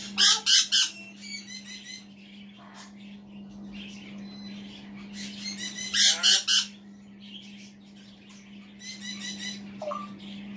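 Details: African grey parrot, male, kept indoors and sitting on a chair, vocalising to himself with bursts of loud rasping squawks in pairs and triplets. Softer chatter and a brief whistle come between the bursts, all over a low steady hum.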